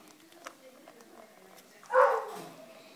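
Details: About 25-day-old rosy-faced lovebird chick being hand-fed utters one strong, harsh, buzzy call that fades over half a second, following faint tapping and low room noise.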